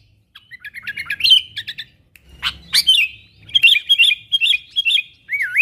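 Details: Calls of a sooty-headed bulbul meant to attract wild bulbuls closer: scattered sharp chirps building into a series of bright whistled notes, with a short gap mid-way and a looping whistle at the end.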